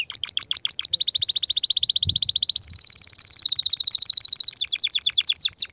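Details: Loud canary song to stimulate the male and excite the female to mate: choppy notes leading into a long rapid trill, jumping higher midway, faint low knocks behind.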